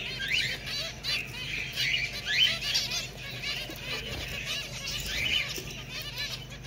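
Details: Finch chatter made of quick, high, slurred chirps and squeaky twittering notes rising and falling in busy bursts over a low steady hum.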